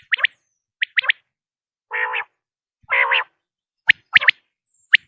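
Common quail giving sharp, liquid two- and three-note whips alongside a pair of longer, nasal, buzzy notes, all within about five seconds.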